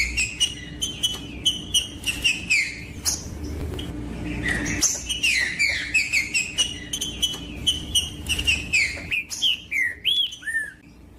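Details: Song of a green-winged saltator, played to encourage other saltators to sing: dense chatter of whistled notes and clicks becomes a fast, steady string of falling whistles, ending in a rising-falling slur.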